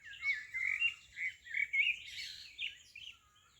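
A songbird sings a quick, varied run of high chirps and warbled notes, several phrases tumbling together over a few seconds, with faint background hiss.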